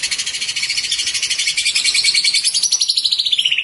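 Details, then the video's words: White-rumped shama song meant for training other birds: a dense, rapid trill of high notes pulsing many times per second, sliding slightly downward toward the end, with a steady chirring background. "ISIAN BURUNG MURAI COCOK BUAT MASTERAN"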